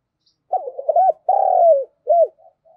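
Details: Spotted dove used as a decoy, cooing to lure and provoke other doves: a quick stuttered note group, then a long purring coo that slides down at its end, one short arched hoot, and soft trailing notes.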